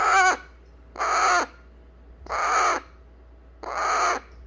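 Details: Eclectus parrot chick, hand-raised, fussing to be held after eating baby food: four harsh, raspy screeches, each about half a second long with a broad noisy tone, repeated roughly every second and a quarter in a small quiet room.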